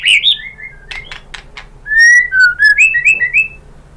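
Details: Lure song of a white-rumped shama to prompt other birds to answer: an opening chirp, several sharp clicks, then a fluid series of whistled notes rising and falling, ringing clearly over near-silence.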